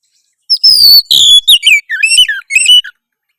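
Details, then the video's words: Harsh rival-provoking song of an Oriental magpie-robin, a fast, varied string of high whistles and downslurred notes lasting about two and a half seconds, delivered loudly against silence. "suara kacer kasar memancing lawan auto gacor"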